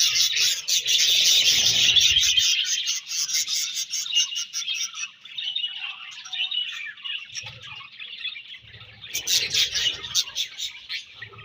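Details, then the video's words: Budgerigars chirping: loud fast pulsed chatter at first, easing into softer continuous warbling, then another burst of rapid high twitters. "Budgies Chirping Sounds"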